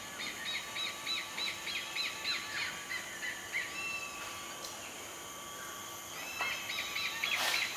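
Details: Oriental pied hornbill at Sungei Buloh Wetlands Reserve, Singapore, gives a quick series of nasal, cackling notes, about three a second, then a few scattered calls over a steady hum of background noise.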